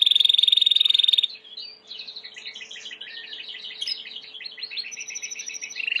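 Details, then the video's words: White Timbrado canary singing a clean training song: a steady rapid metallic trill opens, then gives way to quicker jumbled warbling notes that bubble along without pause. "Chant de Canari timbrado / the wonderful sounds of canary bird chirping / canario timbrado cantando"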